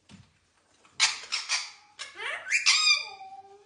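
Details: A pet ringneck (rose-ringed) parakeet that keeps saying "what you doing" gives three harsh, raspy squawks in quick succession, then a run of shrill, sliding whistled notes that rise and fall, indoors.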